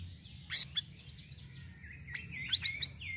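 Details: Sirisiri bird song, recorded as a lure for other birds. High, scratchy warbling with sharp chirps and a loud burst of quick notes near the end, over a steady low hum.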